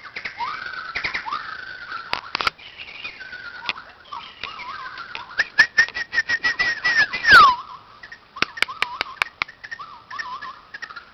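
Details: White-crowned shama at a playground singing varied phrases: short hooked whistles, a long rising-then-falling slur with crackling clicks, then a series of repeated wavering whistled notes in quick groups.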